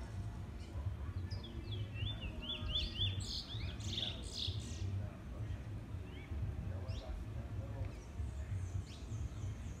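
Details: A Trinidad bullfinch, a male newly in black plumage and kept caged, gives a short burst of bright zigzag whistled notes early on, then fainter chirps amid a rumbling background hum.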